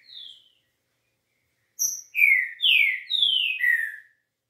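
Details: Green-winged saltator singing in the smooth 'liso' style: a short descending whistle, a pause, then four loud slurred whistled notes in quick succession, each sliding downward, clean and free of background sound.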